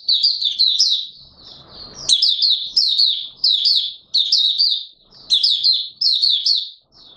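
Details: A caged Oriental white-eye, known locally as Mata Puteh Raja, delivers its opening song on 24 March 2022. Bright high twitters tumble in quick phrases, broken by a short pause filled with low rustling.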